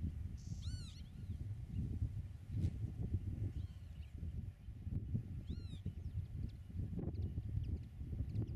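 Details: Pied avocet incubating at its nest in a meadow-bird area, filmed from 8 m, gives two clear, fluty 'kluut' calls a few seconds apart, with a fainter call between them, over steady low wind rumble.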